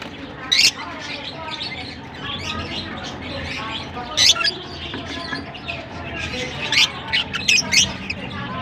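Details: Lovebirds singing in Larkana produce soft continuous twittering broken by piercing squeaks, the loudest near the start, around four seconds, and in a cluster toward the end.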